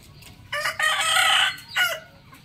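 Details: Rooster crowing in the morning: a loud, harsh, harmonic crow of about one second, then a shorter rising crow note, over faint background hum.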